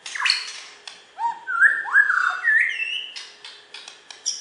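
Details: West Kalimantan champion white-rumped shama from Borneo pouring out mellow whistles, with low upslurs, rising and falling glides and a higher sliding note, followed by scattered clicks and faint high chips.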